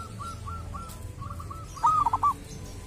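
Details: Local wild zebra dove from a sacred tomb, said to have a distinctive voice: a run of soft, evenly spaced low coos, then a louder cooing phrase of short rising and falling notes, over a low background rumble.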